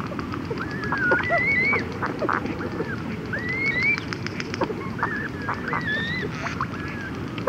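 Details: Close-up red-gartered coots, chicks and adults together, exchanging conversational calls: repeated thin upslurred whistles, scattered sharp ticks and lower clucking notes over a steady background chatter.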